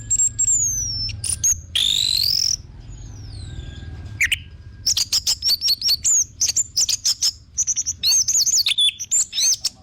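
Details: A long, rising whistle opens this orange-headed thrush lure song, followed by a dense chatter of short, very high, wavering whistles repeated in quick succession.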